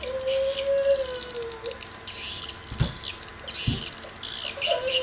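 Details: Crystal swiftlet sound tested in Sabah: bursts of high, buzzy chirping chatter, repeated roughly every second, over a low steady whistling tone and a couple of dull knocks.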